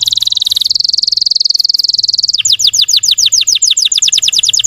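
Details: Song of a Russian canary used to provoke other canaries: a long, rapid, buzzing roll lasting over two seconds, then a bright tour of quickly repeated, down-slurred whistled notes.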